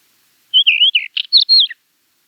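A Finsch's wheatear gives one quick song phrase of about a second: high warbled notes with a scratchy burst in the middle, against a quiet background.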